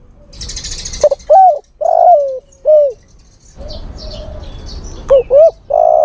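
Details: Male spotted dove calling for a female, played to lure birds: a run of short, low coos sliding down at the end, a pause with softer hum and faint high chirps, then more quick coos.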